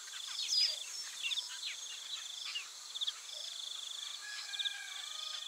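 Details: Scratchy chattering and brief buzzy trills from several Taveta golden weavers, thinning out in places. A steady insect whine runs throughout, and a few clear whistled notes stand out.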